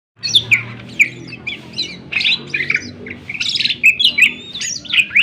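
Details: Greater green leafbird in full, sharp-voiced song used as a lure to get other birds singing and agitated: a busy run of whistled, chattering notes around two to four kilohertz, some sweeping down, over a steady low hum.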